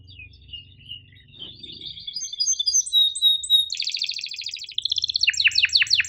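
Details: Masteran canary song with sharp chirps and rolls, meant for canaries slow to sing and young learners: thin high notes build into dense rolled trills and strongly descending sharp chirps, over a soft low hum.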